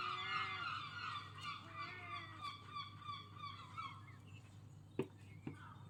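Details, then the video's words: Loud gulls making strange sounds: a run of nasal, wavering, harmonic cries overlapping for several seconds, then fading, followed by two sharp knocks. "Seagulls are very loud and make strange sounds"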